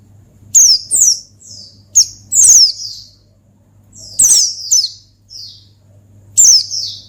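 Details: Oriental white-eye singing to provoke a rival: bursts of high, thin descending chirps in short clusters with brief pauses, over a steady low hum.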